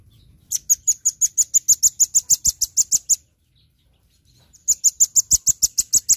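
Velvet-fronted nuthatch giving rapid, high, sharp chip notes in fast even runs, about three per second, in two bursts separated by a short pause.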